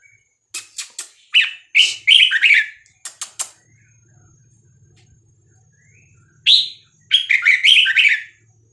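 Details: Red-whiskered bulbul, Vietnamese type, delivering its 3-4-5-6-7 song meant to teach youngsters and excite birds. Two clusters of rapid, bright, slurred whistle notes separated by a quiet gap, with crisp clicks between.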